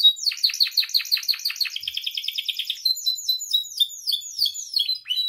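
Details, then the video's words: Canary song of the kind used to train and provoke captive canaries: fast high rolling trills of repeated downslurred notes, shifting into rapid chattering phrases and sharp whistled slurs. "SUARA KENARI AMPUH [#42] MASTERAN DAN PANCINGAN KENARI GACOR FULL ISIAN"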